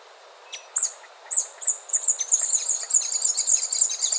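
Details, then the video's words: Scrub tanager song: a few scattered high, thin notes, then a rapid, continuous chatter of sharp, sibilant chips at a very high pitch that keeps going to the end, with faint background noise. "O canto da Saíra do matinho"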